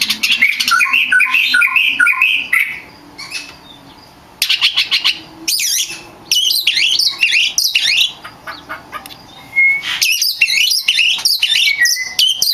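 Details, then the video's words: Actively singing champion oriental magpie-robin, recorded for training other magpie-robins: phrases of warbled whistles and chattering trills in bursts, broken by quiet gaps, with a faint low hum beneath. "Suara burung kacer gacor juara untuk melatih mental kacer Anda"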